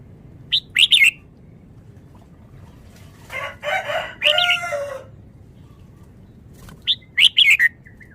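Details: Bright chirp clusters bracket a buzzy, harmonic warbled phrase in rapid, rolling song from a caged red-whiskered bulbul of Vietnamese origin. There are quiet pauses between bursts.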